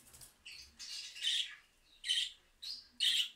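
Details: Budgerigars answering a mobile phone recording with harsh, buzzy warbled chatter, broken into short bursts about every half second to second.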